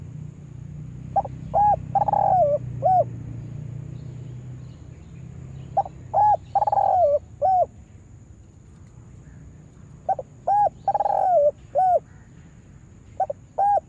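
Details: Spotted dove trained as a lure bird for trapping delivers three bursts of rapid stuttering coos, each wrapped around one longer falling coo, separated by pauses of about three seconds.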